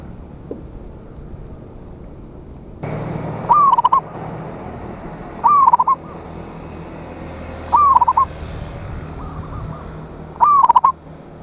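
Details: Loud local zebra dove song used as a lure to call rival birds: four rhythmic phrases about every two and a half seconds, each a sliding coo ending in rapid stuttering notes, with steady hiss behind.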